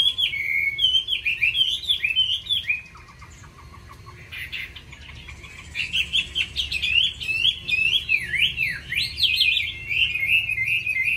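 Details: Chinese hwamei, a kept songbird with many wild-style voices, singing often: loud looping whistled warbles, a quieter stretch with a short buzzy series, then a long run of fast varied whistled phrases.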